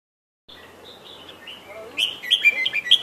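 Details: Sooty-headed bulbul chirping: soft short whistled phrases at first, then louder, richer warbled notes that rise and fall, with a faint background hiss.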